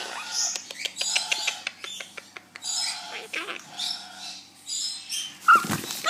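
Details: A pet monk (Quaker) parakeet making friends chatters in harsh, scratchy bursts with quick clicks, then ends on a louder, rasping squawk.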